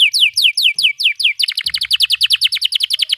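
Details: Long continuous canary song, 'gacor panjang' style, meant for training young birds: a series of downslurred whistles gives way to a fast, tight roll of repeated notes, with a soft low rumble in the background.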